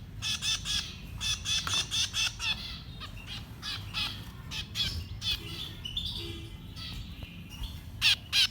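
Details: Baby birds being fed, with rapid, scratchy begging calls in quick bursts at first, then sparser harsh notes and a short loud pair near the end, over a steady low rumble.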